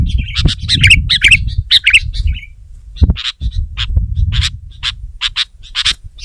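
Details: Sooty-headed bulbul singing to pressure a rival, giving dense clusters of harsh chirping notes followed by single sharp chirps at uneven intervals, over a steady low background hum.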